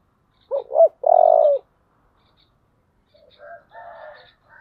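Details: One loud phrase from a spotted dove goading a rival, in 'giọng thổ' voice style: two brief hoots and a long buzzing coo, followed by softer, rougher chattering notes from farther off.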